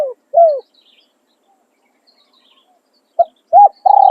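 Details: Decoy spotted dove in calling and tossing song: a phrase ending with two short falling coos, a silent gap, then a new phrase starting with a clipped note, an arched coo and a long low coo, with faint chirps overhead.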